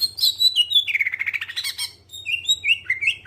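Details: Greater green leafbird singing as a lure for other birds: high chattering notes sliding down into a rapid warble, followed by short clear whistles that rise and fall. A faint low hum is heard.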